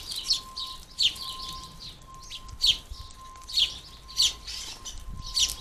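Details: Fledgling house sparrows fed at a garden feeder give sharp, high chirps about every half to one second, six strong ones over a few seconds, over a steady low electrical hum.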